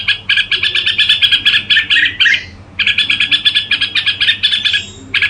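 Red-whiskered bulbul in two bursts of fast, bright chattering notes, about seven a second, with a brief pause between them.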